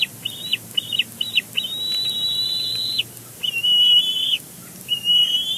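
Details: At a Big Bear Lake nest, a bald eagle calls as it handles nest fluff: squeaky, high whistled chatter, several short notes then longer level piping phrases, with steady hiss behind.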